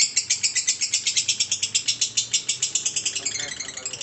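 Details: Long ngekek of a lovebird, a shrill, fast, pulsing trill that runs unbroken from start to finish with a slight easing near the end.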